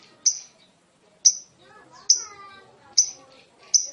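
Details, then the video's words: Lovebird calling in the context of a long ngekek meant to draw answers: single sharp, high chirps repeated at irregular gaps of about a second, with faint murmuring in the background. "Burung Lovebird manapun akan nyaut dan ngekek panjang setelah dengar ini"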